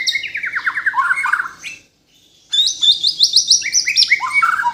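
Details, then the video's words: Kalimantan white-rumped shama in captivity singing rapid descending trilled phrases, pausing briefly, then a higher run of quick repeated whistled notes sliding downward. "MURAI BATU BORNEO GACOR FULL ISIAN || AMAZING BIRD CHIRPING MURAI BATU"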